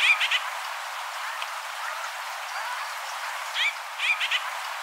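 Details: White-winged grosbeak (Mycerobas carnipes), call.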